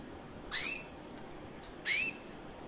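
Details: Recessive white female canary, about one year old, red-factor eyes, chirping: two loud, high, rising chirps about one and a half seconds apart, each trailing into a short tail, over near-silent background.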